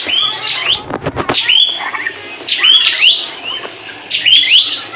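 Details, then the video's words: Newly bought prinia (prenjak) from a bird dealer's bundle, a vigorous singer, gives sharp, high, squeaky chattering phrases about every one and a half seconds, with a quick burst of clapping early on. "burung prenjak di ombyokan,dapat yg gacor"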